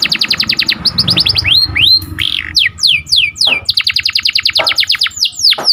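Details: Canary training song with sharp rolling phrases: quick repeated whistled notes, sweeping slurs and a buzzy trill over a faint low background hum, with scattered swooping notes toward the end.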